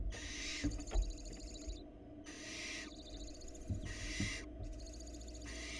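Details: At a nest box in Florida, a female barn owl delivers a rat to her young and then has a love-hate exchange with the male. Four long, rasping hissed screeches, each about a second, come with brief pauses over a constant low hum.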